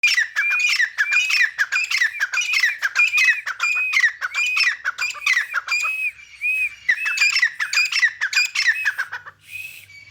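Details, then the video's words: A grey francolin playing in mud gives loud, harsh, squeaky notes with a ringing rising-falling whistle, repeated rapidly about twice a second, pausing briefly near the end. "Teetar ki awaz"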